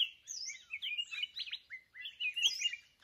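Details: Red-whiskered bulbul caught in the wild with a decoy bird in a fight trap. An unbroken stream of rich, jumbled warbles, with high slurred notes over busy chattering.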